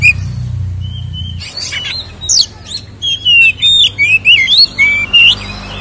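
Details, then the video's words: Oriental magpie-robin, locally kacer, in fighting ngeplong song with fill-ins, meant to provoke captive magpie-robins; a soft whistle and scratchy notes, then a run of loud, twisting whistled phrases about twice per second. "SUARA BURUNG Kacer gacor isian NGEPLONG TARUNG"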